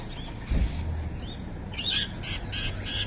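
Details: At Evans Head on the afternoon of 26 May 2012, a rainbow lorikeet gives a quick series of four harsh, grating screeches in the second half, after a brief low thump.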